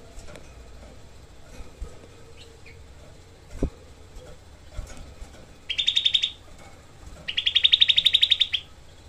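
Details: Grey-cheeked bulbul (cucak kelabu) in a tutor recording for songbird training, producing two dense, coarse 'tembakan' trills, the second longer at about fifteen rapid notes, after faint knocks and chirps.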